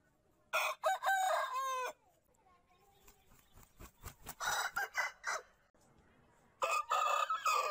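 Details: Big roosters crowing: two loud, drawn-out cock-a-doodle-doo crows with a harsh, wavering tone, separated by a few shorter clucking and squawking notes.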